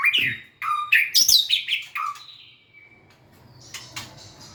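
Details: White-rumped shama song with dancing and tail wagging: loud, rich, varied whistles and sharp chirps in quick succession, then a long fading whistle and a few soft distant notes.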